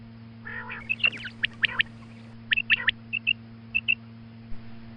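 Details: Female quail calling in the morning: a nasal harmonic burst, then sharp paired chirps and short high notes in scattered groups, over a steady low electrical hum.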